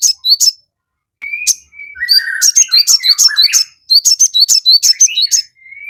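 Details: Crested jay (sogon) in full song to provoke a reply: sharp high chirps mixed with lower slurred whistles, rising to a dense chattering run before a closing thin whistle.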